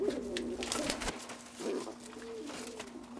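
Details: Juvenile pigeon, recorded from two weeks to four months old, making a soft low coo followed by a longer smooth drawn-out note, with tapping and clicking noises nearby.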